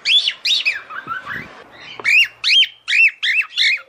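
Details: A female cockatiel calls the male to mate with arched harmonic chirps. There is a softer, lower warbled passage and a brief rustle midway, then a fast run of loud repeated chirps.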